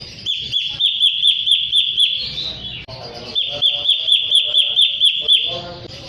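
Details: Sooty-headed bulbul song played as a lure to provoke rival birds into singing; sharp high chirps repeated rapidly in two long bursts, with a short, softer, rougher gap between them.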